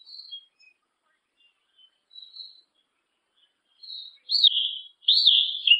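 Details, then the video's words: A yellow-legged thrush sings high, clear whistled phrases, soft and scattered at first, then louder warbled notes sliding down near the end; otherwise quiet. "SABIÁ UNA PRETA E SEU CANTAR, SABIÁ CHAMANDO, O CANTO DO SABIÁ PRETO"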